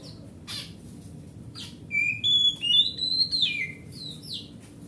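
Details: Grade A oriental magpie-robin from the forest, kept as a home bird, singing to trigger silent magpie-robins: a few harsh notes, then a long sequence of clear whistled phrases climbing and falling, ending in short sweeps.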